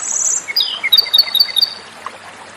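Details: Komadori song opens with a high buzzy whistle, drops in a slurred descent, then rattles off a brisk run of bright repeated notes before fading to quiet hiss.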